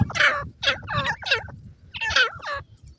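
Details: Pheasant chicks fighting among themselves in a forest; loud, harsh, gobbling fowl calls in quick bursts, each sweeping down through a broad band of harmonics, with a low rumble beneath.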